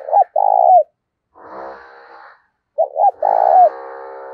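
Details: Decoy spotted dove said to have the 'giọng thổ' voice coos twice: each phrase has short hooked notes and then a longer rolling coo that falls at the end. A buzzy, droning noise fills the gaps.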